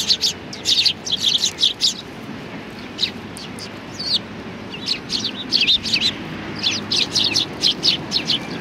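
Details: Sparrows gathering at a Tenmangu shrine on 25 November 2020, coming to be fed; bursts of sharp, high chirps from several birds overlap in quick clusters, separated by short pauses.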